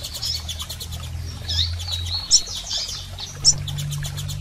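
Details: Double-collared seedeaters, females and males, give rapid high chirps and two sharp accented notes, used to stimulate a male, with fast clicking and a low hum behind.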